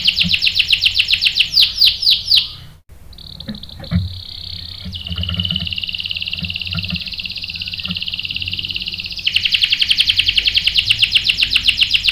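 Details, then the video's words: Canary song meant to provoke a male into singing: loud descending whistled sweeps, then a long fast buzzy trill, ending with a bright rapid chopped trill. "PANCINGAN KENARI GACOR bikin EMOSI jadi NYAUT GACOR NGEROL | CANARY SINGING"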